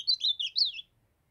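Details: A brief burst of song from a young Northeastern ultramarine grosbeak, raised from its brown stage: four quick slurred, wavering notes ending in under a second, then quiet.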